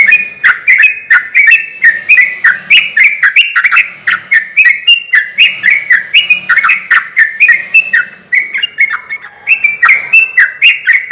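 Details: Sooty-headed bulbul in vigorous song, used to challenge rivals into calling back: continuous fast series of gurgling two-part whistles, roughly four phrases a second, varying slightly in pitch, loud and unbroken for eleven seconds.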